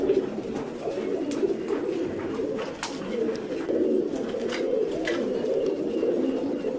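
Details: Several fancy pigeons coo together in a steady, overlapping low murmur of throaty rolling notes, with faint clicks and wing flutters in the background.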